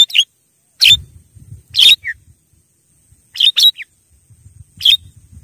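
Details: Javan myna calls used to lure wild mynas, in short harsh bursts around every second, each a scratchy high note, with one brief lower note after the third burst; faint low rumbling between calls.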